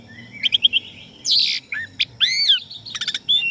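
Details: Asian pied starling song played as master training audio for young and contest birds: a varied run of whistled notes, a harsh buzzy burst, rising slurred whistles and quick clicking trills, close and clear.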